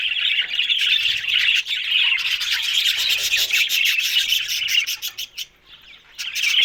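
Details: Budgerigars (parakeets) chattering together: a dense, continuous warble of high buzzy chirps and squeaky notes, rapid and irregular, with a brief lull near the end before the chatter resumes.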